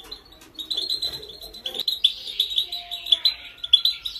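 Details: European goldfinch, female, with a training song meant to spur males to sing: soft mixed chatter at first, then a bright, lively twitter of rapid, high chirps with faint steady whistled tones beneath.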